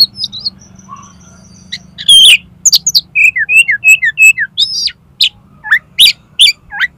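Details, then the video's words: Oriental magpie-robin singing a rich, varied run of clear whistles, sharp chips and slurred high notes at a quick, uneven pace over a faint low hum; used as a master/lure song to prompt competition birds to sing. "SUARA KACER INI COCOK UNTUK MASTERAN DAN PANCINGAN KACER LOMBA AGAR MAU BUKA PARUH"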